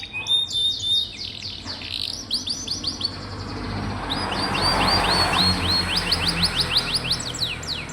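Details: Domestic canary song used as a tutor recording to prompt young or rarely singing canaries. Fast series of high rising whistled trills, repeated several times a second, over a steady loud hiss.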